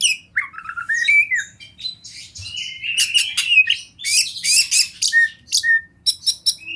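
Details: Oriental magpie-robin, a champion wild kacer used as masteran, with river and forest ambience: falling, wavering whistles at the start give way to dense scratchy chatter and rapid clipped notes toward the end, over a low background hum.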